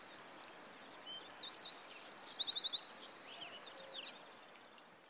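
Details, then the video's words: Red-footed falcon at a nest on a nest-cam tree in Polgár, Hungary, during the 2024 breeding season, gives rapid, high, thin chittering calls in quick repeated series, about four per second, fading toward the end, with a soft noisy background. "Red-footed Falcon Nest"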